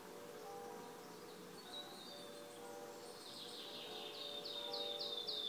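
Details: Wood warbler (Phylloscopus sibilatrix) recorded 5 June 2016 at Březinka nature reserve, Náchod-Běloves, Czech Republic, sings a high series of thin, ticking notes that speed up and grow louder toward the end, over low, steady chime-like tones.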